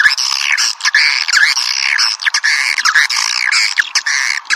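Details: Swiftlet call sound, piezo version, used to call swiftlets: continuous rasping, squawky chatter with repeated rising and falling high notes and brief gaps.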